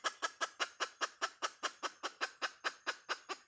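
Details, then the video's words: Hen chicken voicing the "Dib tsauj" call: close, rich clucks repeated in a quick, steady beat of about two and a half per second, every note similar in strength, with no other sounds. "Suab poj qaib Dib tsauj"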